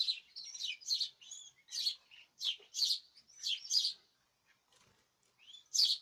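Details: Several caged birds chirping together, recorded 14 March 2026: short, bright, high chirps and squeaky twitters about once or twice a second, with brief pauses between bursts.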